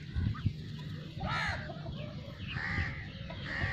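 Khaki Campbell ducks give a few short, nasal, harsh quacks, spaced about a second apart, over steady low rumbling wind or handling noise.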